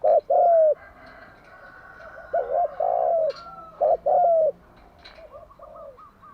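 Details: Morning cooing of a spotted dove, used to stimulate and train other doves: clipped two-part coos, a brief note and then a longer drawn-out one, repeated three times with faint thinner calls at the end.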